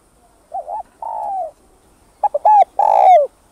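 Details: Spotted dove giving its full cooing song: soft, mellow coos, a quick double note and a long falling coo, then a fuller phrase of short notes ending in a long drawn coo.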